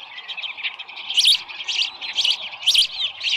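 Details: Osprey nest on a ranch, morning of 24 July 2018 near 6:52 with a headless fish; moderately soft, wavering whistled chirps repeated about every half second.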